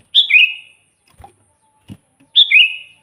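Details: Lively sooty-headed bulbul song, offered as bait to draw wild bulbuls in for catching: two rich whistled phrases, each a clear high note dropping into a rolling lower trill, with faint soft knocks between them.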